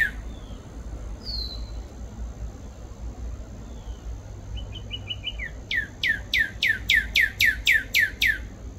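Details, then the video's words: Cardinal with scattered thin notes at first, then a fast run of short chips leading into about ten loud, steeply descending slurred whistles delivered in a regular rhythm near two per second, low constant hum behind. "CARDINAL BIRD CALLS"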